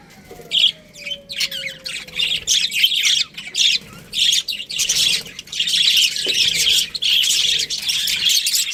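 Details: An Australian budgie breeding pair opens with a slow falling whistle under scattered chirps, then breaks into bursts of rapid scratchy twitters that grow into continuous chatter.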